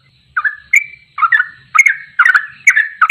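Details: Sooty-headed bulbul in goklikan ropelan style: after a short silence, bubbly rising whistled phrases follow one another roughly twice a second, each sliding upward at the end, with a faint low hum beneath.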